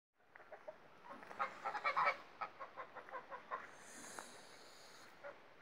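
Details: Newly hatched Pomeranian Saddleback goslings, five from a two-year-old goose's first clutch, out in sunshine with their parents; rapid soft peeping and chirping notes in quick runs, with a higher hiss or rushing sound toward the end.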